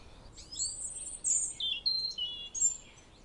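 A Common chaffinch gives a bright, high song of about three seconds: quick notes that step down in pitch and end in a short flourish, over faint background hiss.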